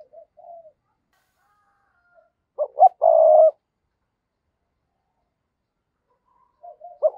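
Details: Decoy spotted dove calling to lure wild doves: a short burst of low, hollow coo notes, two clipped notes then a longer drawn-out coo, between long silences with faint soft notes at the start and end.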